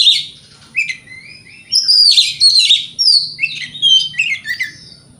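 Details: Kacer, or oriental magpie-robin, delivering a provocation song to stir other magpie-robins: a flowing run of bright whistles, sliding notes and twittering trills, rising and falling in quick succession.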